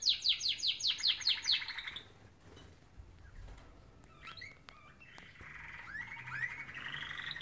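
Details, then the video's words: In the morning a canary opens with a loud burst of about eight fast repeated sweeping notes. Quieter scattered chirps and a soft trill come after it. "Beautiful canaries singing in the morning"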